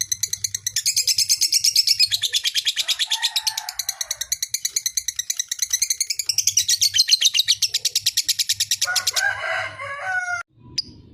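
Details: Extended lovebird ngekek, a fighter's provoking trill: a long run of fast high chattering pulses lasting about nine seconds, ending in a few harsher, lower squawking notes.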